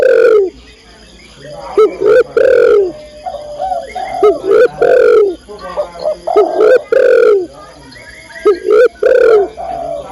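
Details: Spotted dove female calling to a male, giving a steady run of strong, hoarse coos, each short rising note followed by a longer sagging one, repeated every second or two throughout.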